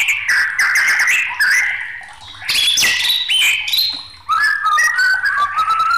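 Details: Agitated white-rumped shama belting out a varied song: warbling whistles, a loud harsh burst, then stepped whistled notes falling away in a descending run.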